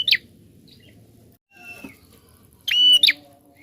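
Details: Prinia singing persistently, a recording meant to stimulate other birds: the end of one sharp falling note, a quieter pause with faint notes, then a full phrase of level high whistle and downward slur.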